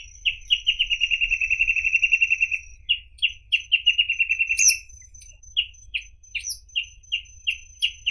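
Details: Reed parrotbill, a rare endangered passerine, singing: a few opening chirps run into a fast even trill of repeated bright notes lasting about two seconds, then another trill and slower spaced chirps, with a constant faint high hiss.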